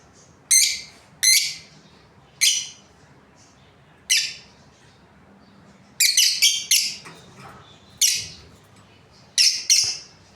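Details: Lively chirping from a breeding pair of Australian lovebirds, rasping high notes in irregular runs, some clustered in quick rattling groups of three or four.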